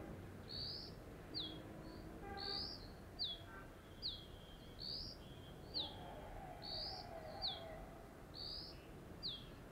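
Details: Female Dark-grey Bush Chat guarding its ground nest from a deodar twig at Jabbarkhet sanctuary, western Himalaya, giving loud, high, thin chips, alternately rising and falling, about two notes a second over a faint low rumble.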